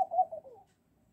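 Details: Laughing dove that came in the morning to wake the household, giving a short run of soft, low cooing notes, bubbling and slightly falling, over about half a second, then quiet.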